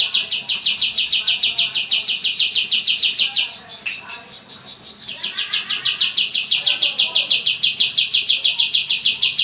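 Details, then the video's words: Oriental white-eye song for training cage birds, long, persistent and clear: rapid, high chattering notes repeated about three times a second in a continuous stream, with a brief break near the middle. "MASTERAN kapas tembak gacor panjang dan suara jernih"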